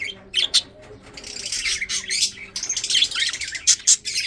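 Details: Breeding pet budgerigars chirping while eating: a few sharp chirps, then dense scratchy chatter from several birds, with faint low background hum.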